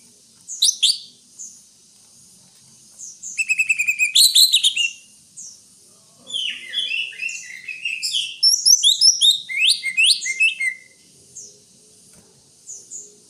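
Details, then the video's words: Greater green leafbird song opening with sharp high notes, then a fast buzzy trill and a long jumble of slurred, mimicking-sounding whistles and chirps, ending in sparse thin calls. "Suara burung Cucak Hijau"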